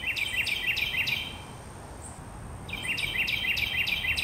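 A Carolina wren gives loud, ringing phrases repeated rapidly, about four per second, in two bursts split by a short pause, over a faint background hiss.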